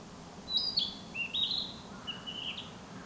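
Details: Spring song of a narcissus flycatcher in forest: three whistled phrases, the first high and falling, the next two lower with upward steps, delivered in about two seconds against soft background hum.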